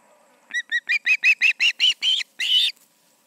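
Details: Osprey calling at the Charlo nest with two birds present, evening of August 20, 2019, around 7pm MDT; a run of about nine sharp whistled chirps, growing louder and rising slightly, ending in a longer drawn-out note.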